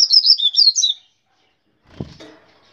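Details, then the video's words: Rusty-collared seedeater, known locally as coleiro, described as 'grego pardo', giving a loud, rapid warbled phrase of high twittering notes lasting about a second, followed by silence and then faint clicks and low rustling. "Coleiro grego pardo"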